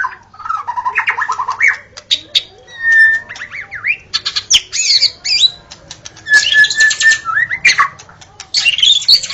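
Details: Dawn song of a white-rumped shama, played to attract shamas: rapid mixed phrases of buzzy chatter, short clear whistles and sharp clicks, phrases broken by short gaps, with a steady low hum in the background.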